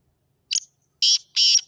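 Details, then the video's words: A Sindhi kala teetar, the black francolin, utters a short chip and then two long, loud, grating buzzy notes in quick sequence, with silence around them. "Sindhi Kala Tetar ki Awaz | Such Subhan Teri Qudrat | Kala Teetar Voice 2023"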